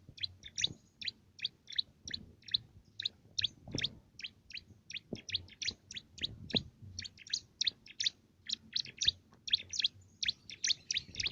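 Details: Bar-winged prinia, small and lively, delivering loud canary-like song meant to train contest birds: a long, even sequence of bright, high chirps, roughly three or four per second.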